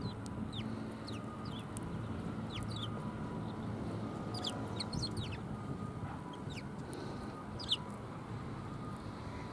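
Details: Several sparrows, filmed 20 December 2020, chirping with brief high, sharply falling notes in loose clusters, some overlapping as if from more than one bird, against continuous low-pitched rumble and hum.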